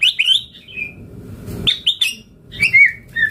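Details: Energetic white-rumped shama song from a tutor recording full of fill-in phrases: short clear whistles and slurred notes in three brief bursts, with quiet hiss and a soft low thump between them.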